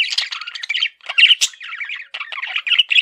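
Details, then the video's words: Male budgie giving loud, continuous harsh chatter of squawks and scratchy warbles with only brief breaks, notes tumbling rapidly throughout. "MALE PARAKEET SOUNDS"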